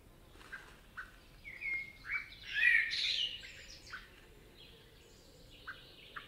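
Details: Forest in Spain with a common blackbird: a mellow, slurred warbled phrase near the middle, surrounded by scattered short chip notes from other birds spaced irregularly through the recording.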